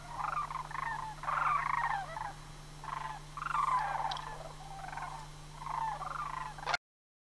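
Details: Sandhill cranes at Homer in September, during the autumn migration season. Fainter rolling, rattled calls come in about five bursts, each roughly a second long, over a low hum, before the sound ends abruptly.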